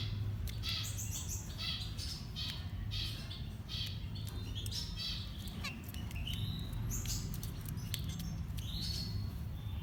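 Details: Baby birds being fed, chirping continuously with dense clusters of high squeaky peeps and short rising notes, many voices overlapping, above a persistent low hum.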